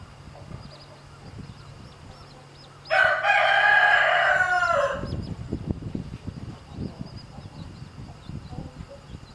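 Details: Domestic rooster near a hen and her chicks, which he is harassing as she shows them to drink; a single loud, rich crow lasting about two seconds, followed by low rustling and scratching noises.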